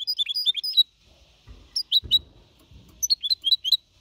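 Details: Young goldfinch hybrid, four and a half months, Malaga-copy song to motivate other birds: quick twittered phrases broken by pauses, with a few soft low knocks in the gaps.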